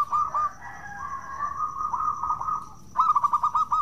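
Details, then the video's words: Lure recording of a local Zebra Dove's 'bekur' song to set other doves singing: a long drawn, wavering coo followed by a fast burst of bubbling staccato coo notes, with a thin constant high tone in the background. "Pancingan Perkutut Lokal Gacor Suara bekur bikin menaikan Tensi Bunyi"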